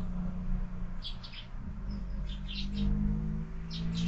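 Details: Brief sparrow chirps, sharp and high, sound in small groups at a window feeder in the morning, over a steady low hum and a faint tonal drone.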